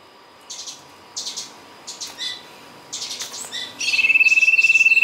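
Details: Sirtu song recorded for use as a lure: bursts of high chirpy notes every second or so, then a steady rapid buzzy trill begins near the end.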